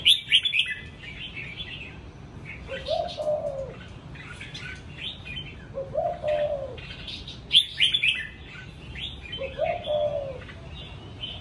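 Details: Captive, home-kept red-whiskered bulbul giving bright, chirpy whistled phrases in quick bursts, while a lower, husky cooing phrase repeats about every three seconds behind it.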